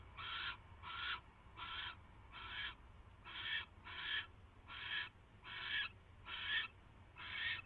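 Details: Barn owl in the nest on the night of 22 January 2016 as a mouse is brought; a series of ten harsh, wheezy screech bursts, spaced a little under a second apart, over low hum.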